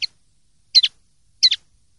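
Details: Common linnet from a 2023/2024 clean-song ('limpio') recording made for silvestrismo. Three bursts of high, dry double chirps sound like 'tet-tet', spaced about seven tenths of a second apart. The background is silent.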